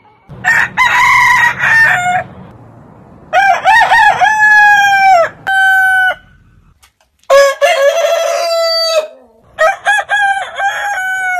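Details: Several heritage rooster breeds crowing one after another: wavering, stuttered openings followed by long steady notes, four or five crows separated by short quiet gaps, with faint low farmyard noise.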